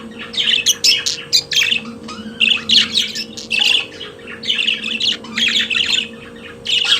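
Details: Continuous chattering song of a pet budgerigar, harsh buzzy syllables and squeaky chirps run together in dense clusters, over a steady low hum.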